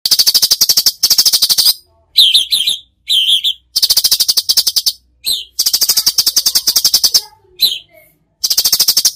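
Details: Cucak cungkok in gacor full tembakan song: dense, buzzy rattling bursts about a second long, separated by short gaps, mixed with sharp down-slurred chips.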